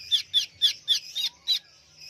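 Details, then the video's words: Caged greater green leafbird singing inside a cage cover: six loud, sharp, high notes repeated about every quarter second, then a faint steady high tone. "Burung Cucak Hijau On-fire di dalam kerodong"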